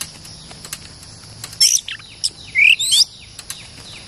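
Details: Oriental magpie-robin, a fierce territory holder, calling during decoy trapping: scattered sharp high whistles, then a loud rising-and-falling whistled phrase near the middle followed by a few short notes, over steady background hiss.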